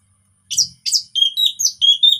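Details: Orange-headed thrush, a relaxed song meant to prompt non-singing birds: two sharp descending high chips followed by a rapid run of short whistled notes, clean and loud with little background.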